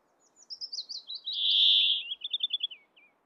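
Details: Wheezy drawn-out buzz from a male Brambling in breeding plumage, Abisko National Park, Swedish Lapland, June 2022, flanked by a falling run of quick chirps before and a rapid warbled trill after, with faint wind.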